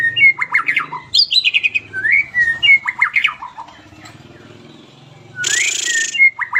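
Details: White-rumped shama song meant for tutoring captive shamas: rich varied whistled phrases and rapid slurred notes, a quiet pause, then a burst of broadband noise and more whistles.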